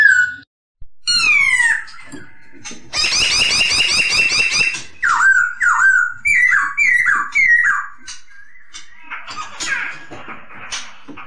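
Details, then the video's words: Masked laughingthrush song meant for training other cage birds: rising whistled sweeps, then a harsh buzzy chattering burst, followed by a run of repeated slurred falling whistles and a noisy rasping finish. "MASTERAN AMPUH; SUARA POKSAY HONGKONG JERNIH"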